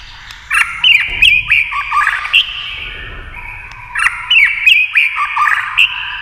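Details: Tail-flicking white-rumped shama in a singing contest against a television, delivering two rich bursts of loud whistles, quick slurred notes and crisp chips, divided by a quieter gap of about a second and a half.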